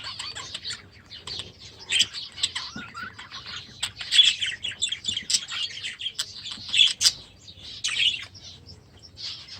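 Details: Budgerigars bred last year, newly moved into their new aviary this season, keep up a fairly quiet, busy background chatter of high twittering notes and occasional louder chirps.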